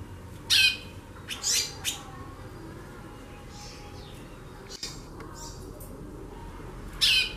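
A female White-bellied Seedeater gives loud, raspy, buzzy chattering bursts in short clusters, then falls quiet before one last harsh burst, over a soft background hiss.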